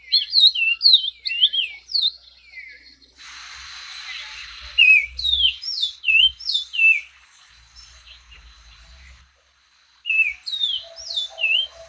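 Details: An orange-crowned oriole, an 18 cm species of Colombia, Venezuela and Panama, gives a run of clear, slurred whistles that swoop up and down, with a brief burst of hissing noise midway and a short silence.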